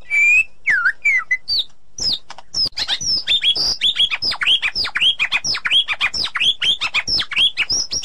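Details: Forest white-rumped shama, a female calling her mate; a few opening whistles, then a fast, high, continuous run of sharp upslurred chirps repeated many times per second.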